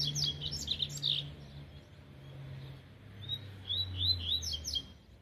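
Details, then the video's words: Young double-collared seedeater after moult, its song still weak and unfinished: short, high, slurred chirps in quick clusters, a burst at the start and another near the end, with a low hum underneath. "Canto friu do coleira Tui Tui"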